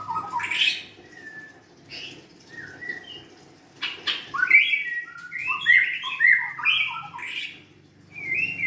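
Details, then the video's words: Young wild-caught White-rumped shama, quiet scattered notes at first, then a loud varied song of rich whistles, chuckles and slurred phrases in quick succession. "kicauan murai batu"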